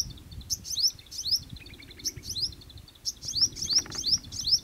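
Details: Little spiderhunter-like sunbird (little shining sunbird) in jungle sings high, thin, rising chirps in quick bursts, roughly three a second, over a low steady rumble of background noise.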